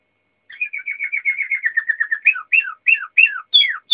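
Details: Waterslager canary song: a quick run of repeated chirping notes speeding along, breaking into separate falling, gurgling phrases that grow louder, with a clean background.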